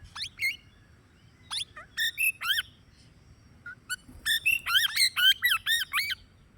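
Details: Plum-headed parakeet calling: sharp squeaky notes and short chattering bursts, then a quick series of wavering, warbled notes about twice a second, over a low background hum.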